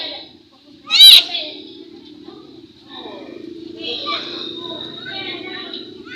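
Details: Chatty pet myna that can talk gives one loud, sharp squeaky burst early on, followed by softer, drawn-out, speech-like murmuring and a few raspy syllables that continue to the end.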